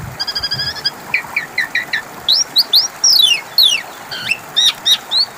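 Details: Lure song of the Asian pied starling for birds that stopped singing: a fast ticking series, then repeated rising squeaky slurs and sharp high chirps.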